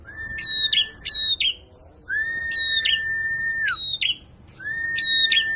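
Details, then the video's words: {'caption': 'Prinia in a loud, drawn-out "ngalun kenceng" song. Bright chipping notes come in quick pairs. Long, steady, lower whistled tones run between them.'} "Perenjak ngalun kenceng"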